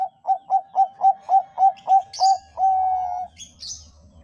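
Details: Zebra dove of the Bangkok variety singing, meant to prompt other doves to sing: nine quick, evenly spaced short coos rolling into one long sustained note, with faint high chirps and a low hum afterward.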